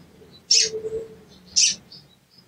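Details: Two sharp, high cuit chips about a second apart from a sooty-headed bulbul, a call used as a lure to trigger singing in a silent bird, with a faint low hum underneath.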